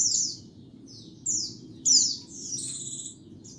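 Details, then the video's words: Lure sound of a white-eye: sharp, high, buzzy notes sliding downward, a few in quick succession, with a quiet low murmur behind. "Suara Pikat dan Master Kicau Burung Pleci HD Paling Jernih 1 Jam"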